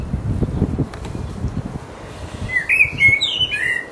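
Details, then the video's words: Blackbird, a resident male in full voice, delivering its mating song. After low background rumble, a descending run of warm fluty whistles with a sharp high twitter closes the clip. "The mating song of a Black bird"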